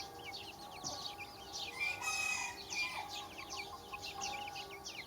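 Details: A flock of chicks fills the recording with rapid, overlapping high peeps; a brief hoarse, drawn-out call rises above them near the middle.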